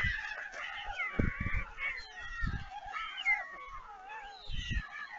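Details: Young white storks are fed at their nest at Leemansmolen in Vriezenveen, Netherlands, on 11 July 2022, after flying back to a parent. Tangled, overlapping, nasal wails slide up and down, punctuated by several low rumbling bursts.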